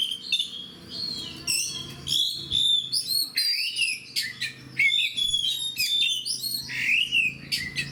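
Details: A fighter oriental magpie-robin sings a long, varied run of whistled and chattering phrases. Sweet slurred notes alternate with harsh, scratchy bursts, loud segments and short pauses. Faint hum lies beneath.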